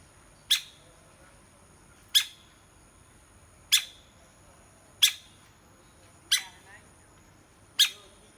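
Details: Woodpecker pecking: six loud, sharp knocks about every one and a half seconds, bright and percussive with brief ringing after each strike, a steady faint high tone behind.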